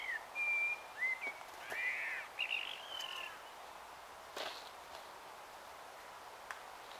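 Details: Warbling blackbird evesong at dusk in Taunton, Somerset, 21 March 2018 around 18:12; a clear fluted whistled phrase, then a run of rich warbling notes ending in a squeaky twittered flourish, followed by quiet hiss and a few faint clicks.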